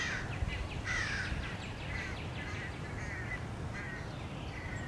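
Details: Several American crows harass a male bald eagle at its nest, giving scattered hoarse caws and a few longer squawks against background noise.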